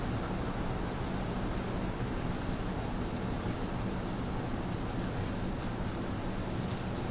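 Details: Steady broadband roar of traffic or wind in a city, with no bird voice audible.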